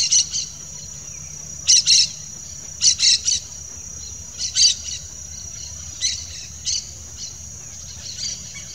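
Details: A pair of yellow-chevroned parakeets gives short, shrill, chattering bursts high in pitch, often in doublets or triplets, spaced irregularly about one to two seconds apart over a steady high insect hum.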